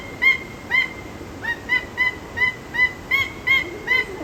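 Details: Peruvian thick-knee in zoo captivity calling in a steady run of about ten loud, piping whistles. Each note is short, with a quick upward slur and then level, repeated roughly every 0.4 seconds over constant hiss.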